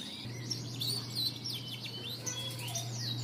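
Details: Lure song of a canary, Indonesian bird-song hobby: fast high twittering with descending whistled slurs and short trills over a loud, constant low electrical hum.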